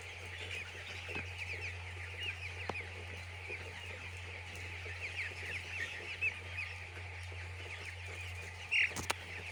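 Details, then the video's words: Many chicks on a poultry farm peeping in a continuous, dense, high-pitched chatter, heard at a distance over a steady low machine hum, with a sharp knock near the end. "Chicks Enjoy In Poultry Farm"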